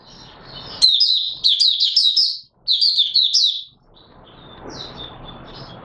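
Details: Open singing by an Oriental white-eye, 24 March 2022: two quick bursts of high, sharp, slurred twitters, followed by softer thin notes over faint background hiss.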